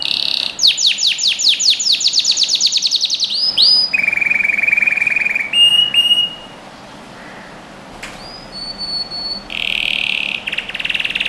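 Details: Canary song meant to train young birds: a fast series of downswept notes, a flat trilled roll, a near-quiet pause with scattered thin tones, then a final buzzy roll.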